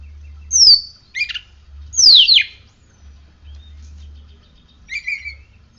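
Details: Oriental magpie-robin in captivity after morning sun and dew treatment: loud falling whistles alternate with short harsh chattering notes, about one phrase every second or so, with pauses between.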